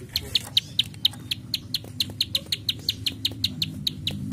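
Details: High, dry clicks from a plain prinia (prenjak sawah) in "klik klik" style, about four per second and evenly paced, over a soft low murmur.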